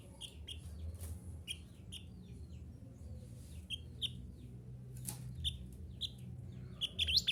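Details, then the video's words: Mantenan gunung recorded as a training track for caged songbirds. Short, bright chirped notes are repeated about every half second, with a faint low background hum. "Terapi Suara Mantenan Gunung Agar Cepat Gacor"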